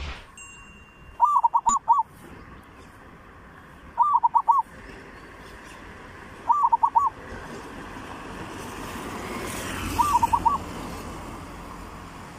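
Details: Zebra dove song of the 'three provinces' style, played as a training lure: four short rolling phrases of soft, even coos, each about half a second long, spaced roughly three seconds apart over a faint outdoor hiss.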